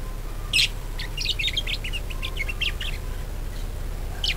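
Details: Budgerigar warbling used to spur other budgies to sing: a quick run of small chattering chirps and clicks, opened and closed by brighter squeaky notes, over a low hum.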